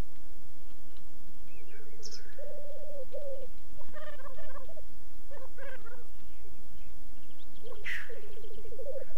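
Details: Black grouse courtship display at a lek in the French Alps: low, pulsing, dove-like bubbling rookoos in long runs, broken by a sharp, hissing sneeze-like whoosh.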